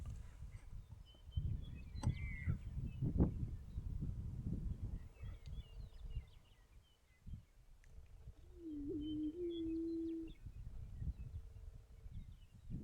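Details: Male greater prairie-chicken dancing to attract a female: a single low, hollow, steady moaning note lasting about two seconds, partway through. Gusty wind rumble and thumps throughout, with faint high chirps from other birds.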